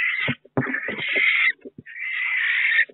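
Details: Barn owl at a nest box in May, where the second egg has hatched and a third barn owl has visited three nights running. Long, harsh hissing screeches, each roughly a second, separated by short gaps with faint clicks and thumps.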